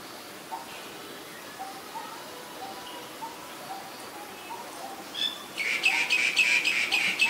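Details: Female Asian koel calling: faint soft notes repeat at intervals, then a loud harsh series of rapid, evenly spaced notes runs about four per second to the end.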